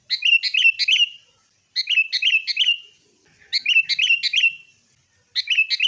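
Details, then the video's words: Sooty-headed bulbul song for luring caged birds to sing, fighting style: bursts of three to four quick bubbly whistled notes, each burst ending in a falling slur, repeated every one to two seconds. "kutilang gacor TARUNG buat pancingan kutilang agar bunyi"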